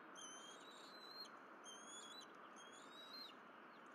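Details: Bald eagles on their Berry College nest during a morning of fish deliveries and feeding, 12 April 2023, nest camera: three short high whistled calls with a slurred upward end, spaced about a second apart, over steady broadband hiss.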